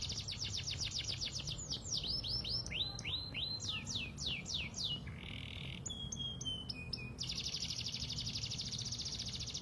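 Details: Canary song meant to lure another bird into replying: a fast rattling trill, then a run of quick sweeping slurred whistles, a brief buzzy tone, sharp clipped notes and a final rapid, even trill, sung continuously over low background noise.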